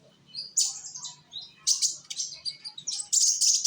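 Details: Young sunbird singing in Indonesia, used as a lure to make other birds sing: bursts of high thin twittering and buzzy notes with short gaps, rising toward the end, over a faint low hum.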